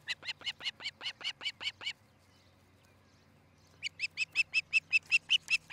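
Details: Nesting osprey on a camera at Charlo, Montana, 13 July 2018, morning: two bursts of loud, evenly spaced whistled chirps, about five a second, separated by two seconds of near silence.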